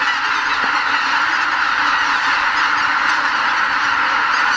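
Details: Wild greater white-fronted geese, 79,980 counted, take off from their roost before dawn at Lake Miyajimanuma, Hokkaido, pausing there in spring on the way north. A steady, dense chorus of countless honks, with one short low knock early on.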